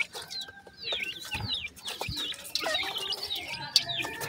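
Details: Pheasant chicks feeding happily on new food give thin, wavering high peeps in loose runs of about one every second, over a constant background hum and occasional knocks.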